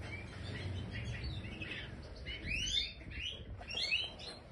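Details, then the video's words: European goldfinch of the Major form kept in an aviary, giving bright twittering chirps and short tinkling phrases that grow busier and louder toward the end, over a low background rumble. "Stieglitz Major Voliere طائر الحسون الرائد"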